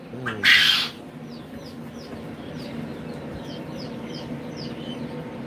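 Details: Ayam Cemani chicken giving one harsh, noisy squawk of about half a second near the start, then quiet except for small wild birds chirping short, repeated high notes in the background.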